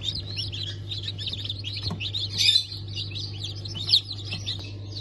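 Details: Freshly hatched chicks of Ottoman Sultan, Cream Legbar and Ameraucana chickens, hatched 20 November 2023, cheeping in a constant chorus of thin high notes, a few louder peeps standing out, with a droning hum underneath.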